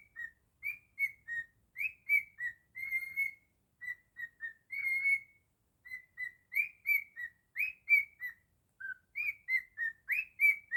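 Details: Jingle Bells whistled by a pet cockatiel in its own version: fast runs of short clear notes stepping up and down in pitch, occasional longer held tones, steady rhythm through clean quiet background.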